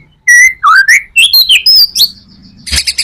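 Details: White-rumped shama song for luring other shamas: clear whistled notes sliding up and down in a varied phrase, closing with a burst of scratchy high notes.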